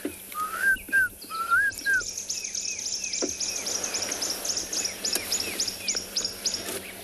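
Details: Klaas's cuckoo at sunrise on 30 October in Tswalu Kalahari Reserve, South Africa, gives a few plaintive, upslurred whistles in quick pairs, while busy high chirping and twittering from other birds fills the morning chorus.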